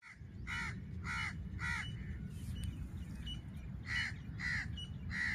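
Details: Female black francolin calling in jungle near Layyah, Punjab, Pakistan, in a hunting setting: harsh, grating, harmonic notes repeated about every half second in two bursts, separated by a short pause, over low background rumble.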